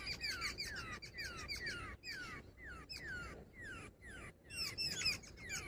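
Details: Female jungle babbler giving a quiet run of slurred, descending notes, repeated roughly every half second in a steady chattering series, with a low background rumble throughout.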